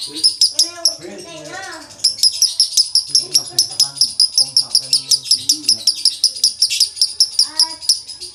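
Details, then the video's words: A male lovebird in dry-toned konslet style; after a brief stretch of talking, a long train of quick, shrill high chirps repeats rapidly, with speech continuing beneath. "Lovebird jantan konslet nada kering"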